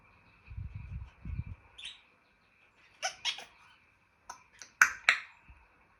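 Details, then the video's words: African grey parrot kept as a pet, voicing clicks and pops: low rumbling murmurs first, then a soft squeak and a series of loud sharp clicks and pops. "Jarvis the African Grey and his funny sounds"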